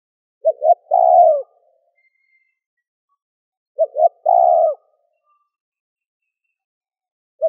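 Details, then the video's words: Spotted dove, calling to lure wild doves, repeats its phrase roughly every three seconds. Two clipped low notes lead into a long, full coo ending in a slight fall. A third phrase just starts at the end. "Cu gáy gù - thúc - gáy gọi kích bổi nhanh nổi"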